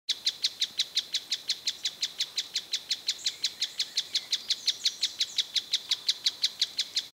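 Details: Mouse-colored tapaculo (Scytalopus speluncae) giving a long, fast, steady train of sharp, high notes, about five or six a second, even in pitch; faint calls of other birds behind.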